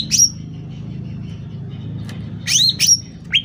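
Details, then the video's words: Sooty-headed bulbul singing actively, loud: one sharp, high chirp at the start, then after a pause a quick cluster of three bright, upward-sweeping notes near the end, over a steady low hum. "Suara Cucak Ranting Gacor Volume Keras"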